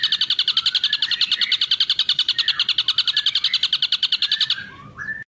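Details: Ashy drongo in a long-duration tutor recording for songbirds, delivering a fast, even pulsed trill over a fainter wavering lower whistle, then stopping with a short rising note before silence.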